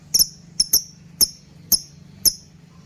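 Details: Shrill lovebird chirps meant to trigger and teach other birds: six piercing, short notes in under three seconds, irregularly spaced, with a low steady hum underneath.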